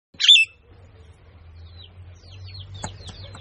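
A myna gives one loud, harsh, squawking note, then softer scattered chirps follow over a low background hum.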